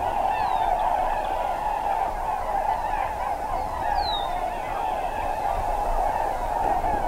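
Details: A large flock of tundra swans on a Wisconsin wetland during spring migration keeps up a steady roar of overlapping high, yelping whoops, with a few sharper calls rising above the din.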